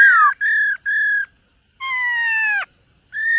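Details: Silver-eared laughingthrush in morning voice-training song, dancing as it sings: three clear, level whistles, a pause, then a long slowly falling harmonic note, and one more bright whistle.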